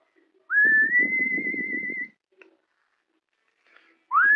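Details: Pet cockatiel whistling the tune of Scorpions' Wind of Change: a clear whistle glides up, then holds one long steady note for about a second and a half, with soft low rustling beneath it. The next phrase begins rising at the end.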